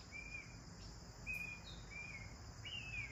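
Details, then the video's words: Sparrows chirping during their bath: four drawn-out, level chirps, spaced widely over three seconds, the last slightly higher and rising. A steady high hiss and low rumble continue throughout. "Sparrows 🐦Chirping Sounds While They Enjoy Their Bath"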